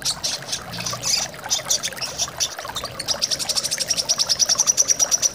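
Brown-throated sunbird giving high, thin chirps that speed into a rapid run of sharp notes near the end, over a steady hiss of running water.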